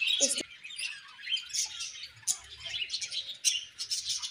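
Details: Budgerigar colony sounds: many birds chirping and warbling at once, high twittering chatter rising and falling in bursts, one short lower squawk near the start.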